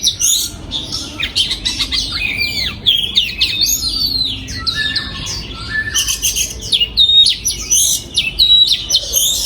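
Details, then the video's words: Oriental magpie-robin singing in a breeding aviary, 2022: a dense run of varied whistled phrases, with sharp upslurs, downslurs and buzzy notes, high-pitched and nearly continuous, with short pauses near three and six seconds. "Giọng Chim Choè Than Hót"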